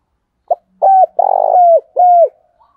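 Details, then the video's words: Caged decoy spotted dove used to attract other doves. It gives a brief opening note and then three deep coos: a short one, a long vibrating one and a falling one. A faint low hum sits underneath. "tiếng cu gáy mồi chuẩn anh em mà mở lên là cu mồi và bổi gáy theo cả ngày"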